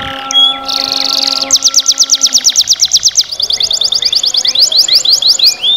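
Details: Black-red canary singing: a few short high whistles, then a fast, evenly pulsed trill of sharp notes that shifts into a quicker buzzy roll and ends with rising slurred notes. Faint steady low humming tones sound in the opening seconds.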